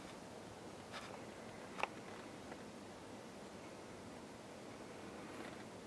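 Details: A quiet background hiss with a few faint ticks and rustles, and no animal voice.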